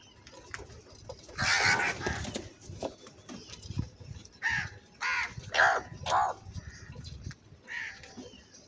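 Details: Crow calling very loudly and angrily: a long harsh caw, then a series of shorter hoarse caws spaced about half a second to a second apart, fading toward the end.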